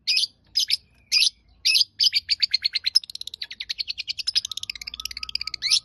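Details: Long-tailed shrike delivering several harsh high chirps, then a rapid, accelerating chatter of short notes that becomes a dense twittering trill, with a faint low hum in the background.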